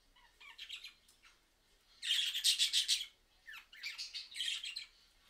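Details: Budgerigars answering a mobile phone recording: faint twitters, then a loud pulsed run of harsh buzzy chatter, and after a pause another grating warbled bout.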